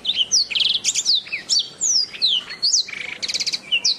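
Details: Canary master song used to train birds: brisk series of high chirps, descending whistled slides and fast buzzy trills of repeated notes, loud and continuous.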